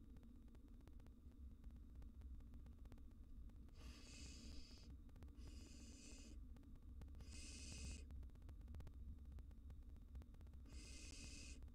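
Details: Wild barn owl chicks in a nest box answering an intruding cockroach with four rough hissing bursts spaced a second or two apart, over steady low humming noise.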